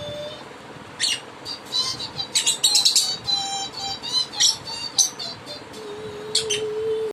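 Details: Pet lovebird singing along with its owner, giving sharp, high chirps and squeaky notes in quick bursts, while a steady, lower whistled tone runs beneath, indoors.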